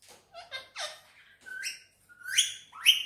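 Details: Green Indian ringneck parakeet talking in Urdu/Hindi and whistling: mumbled speech-like syllables at first, then clear whistled notes that slide upward into bright, ringing tones, repeated about three times.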